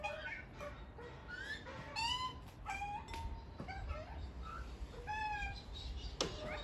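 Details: Family of Australian white-backed magpies at a back door begging for food, recorded on an iPhone 11: repeated squeaky, upslurred harmonic calls from several birds in quick bursts, with low background rumble.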